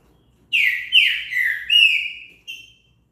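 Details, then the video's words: Green-winged saltator song, played to stimulate another bird to sing: loud whistled phrase of four slurred, mostly descending notes over about two seconds, the last note a short clipped whistle, with a quiet background. "TRINCA FERRO CANTO ESTIMULA O SEU A CANTAR"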